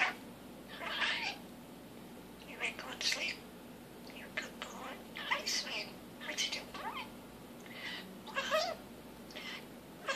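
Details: Common starling, a male kept as a pet, practising a newly learned human phrase, "big kisses for the bird": raspy, speech-like syllable bursts repeated every second or two with scratchy, hissing textures in between, recorded indoors.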